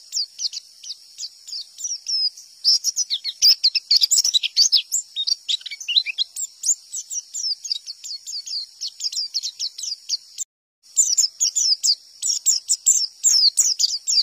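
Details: White-eye from the wild singing "tembakan" to provoke answering white-eyes. Long run of rapid, shrill chirps and chattering trills, busiest in the middle, with one short silent break before the song resumes.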